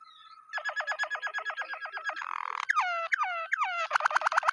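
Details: Waterslager canary song: a faint steady tone gives way to a fast series of repeated liquid pulses, a brief rattling burst, slower swooping downslurred notes, and a closing rapid ringing trill.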